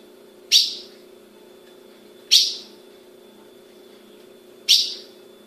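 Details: Caged female ultramarine grosbeak in Brazil calling repeatedly: three sharp, high chip notes roughly every two seconds, each with a ringing fade, above a constant low hum.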